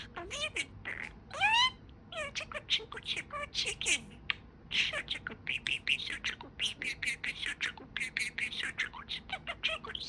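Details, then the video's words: Budgerigar kept as a pet, talking in a long, busy stream of mimicked syllables: swooping whistles at the start, then dense rhythmic bursts of speech-like chatter with almost no pauses. "Talking Parakeet"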